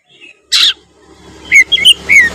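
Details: Oriental magpie-robin (kacer) in 'gacor' song: a harsh scratchy burst, then several short bright whistles over a faint low steady hum.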